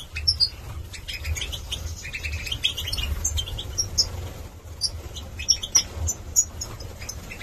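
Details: Young male goldfinches, Major form, 2022, Gladbeck, Germany: a continuous tinkling, twittering song of clipped high notes and buzzy phrases, steady throughout with occasional louder sharp peaks, over low background hum.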